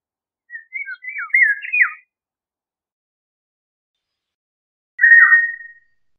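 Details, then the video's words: Eurasian golden oriole giving a longer rolling, fluty warble of several linked notes, then after a three-second gap a single steady whistled phrase with a falling tail. "Golden Oriole Song, Call, Chirp, Sound, Vocalization - Oropéndola Europea Canto - Oriolus Oriolus"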